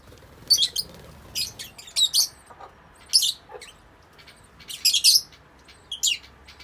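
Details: Yellow-collared lovebirds, Agapornis personatus, in an outdoor aviary: shrill, high-pitched chirps in short clustered bursts, some doubled or tripled, separated by brief pauses, with a faint background hiss.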